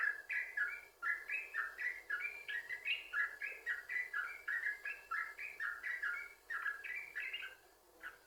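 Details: Continuous chattering, fluty song of a yellow-vented bulbul, played to coax other bulbuls into singing; rapid notes rising and falling in a rolling string, tailing off near the end.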